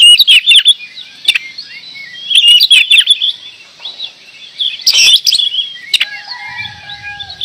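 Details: Energetic oriental magpie-robin song: clusters of high twittering, whistled phrases roughly every second or two, with sharp clicks between bursts and a faint low hum near the end.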